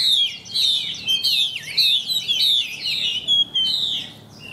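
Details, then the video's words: Caged hwamei in weak condition from lack of care, still singing sporadically when hung out: a rich, continuous run of loud whistled and slurred phrases, fast-changing and varied, with no other sounds. "Em Họa Mi Giá Rẻ. Yếu Điện Do Ko Có Thời Gian Chăm. Treo Ra Vẫn Hót Lai Rai"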